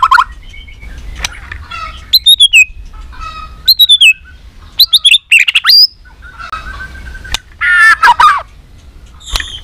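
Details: White-rumped shama, a three-season bird stirred into competition fighting song: loud varied phrases of whistled slurs, rising and falling notes and rapid trills broken by short pauses, with sharp clicks between phrases.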